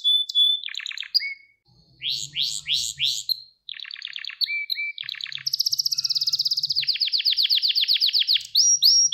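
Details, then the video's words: Gloster canary training song for conditioning males, with rising swoops, short downslurred whistles and a long dense high trill; a faint low hum sits underneath. "Gloster Kanarya Eğitim Sesi Canlı Görüntü | Gloster Kanarya Ötüşü Erkek Huylandırma Ve Kızıştırma"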